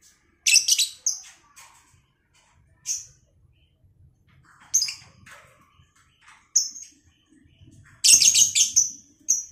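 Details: Self-bred lovebird pair being matched for breeding, uttering sharp, high squeaky chirps in irregular bursts, a loud cluster at the start and another near the end, with scattered single notes and quiet gaps between.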